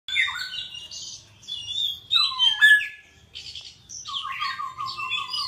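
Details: Songbird singing a varied phrase of clear whistled notes, sharp upward and downward slides, then a fast trill of repeated notes near the end, separated by short pauses, with a faint low hum beneath.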